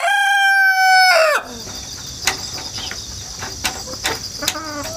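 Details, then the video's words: Tail end of a rooster's crow, a held note that drops and fades, from a bird hatched at home and kept in the countryside, recorded 1 September 2019. Scattered insect clicks and chirps fill the following seconds. "닭 울음소리 자연 소리 꼬끼오 수탉"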